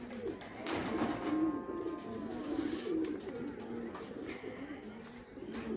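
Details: Indian kagzi pigeons playing, a dense chorus of low murmuring coos, with flapping or rustling bursts and a faint whistle.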